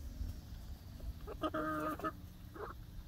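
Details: Young laying hens exploring a newly built outdoor coop run on their first day; one drawn-out nasal call with stacked harmonics, then a shorter call, over low rumbling background.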